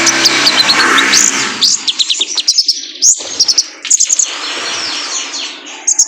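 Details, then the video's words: Male kolibri ninja sunbird, played to train cage birds to sing: very high, thin chirps and short trills in quick clusters, starting over a rushing hiss that fades, then crisp clicking bursts and a buzzy sweep. "PANCINGAN KONIN JANTAN BIAR GACOR"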